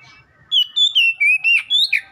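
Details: Oriental magpie-robin song used as training material to make a cage bird respond and sing: a quick run of loud, clear whistled notes, some level, some sliding, ending in a sharper upward flick.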